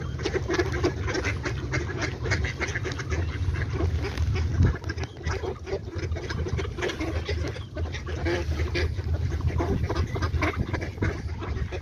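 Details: Ducks calling together, a dense run of rough, repeated quacks over a heavy low rumble and steady background noise, with no clear pauses.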